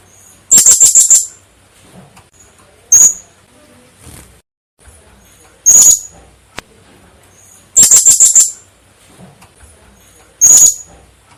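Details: Blue-crowned hanging parrot call meant for luring birds in trapping: very high, thin rapid note bursts alternating with single sharp shrill notes, spaced a few seconds apart over a quiet background.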